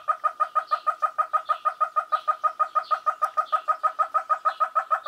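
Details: Southern ground hornbill chick calling for its parents in Skukuza, Kruger National Park: a steady, rapid series of short, identical mid-pitched pulsed notes, about three per second, evenly repeated throughout with no other sounds.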